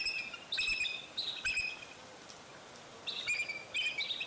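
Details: Bald eagle at Fraser Point on 04-10-2019, around the time eaglets fell out of the nest and returned: bursts of high, thin chittering whistles with bright overtones, repeated in short runs separated by brief quiet gaps.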